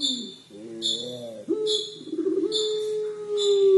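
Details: Puter pelung collared dove giving its 'crying' coo: a low sliding ribbed note, then a long, steady, drawn-out hum. Short, sharp high chirps repeat about once a second in the background.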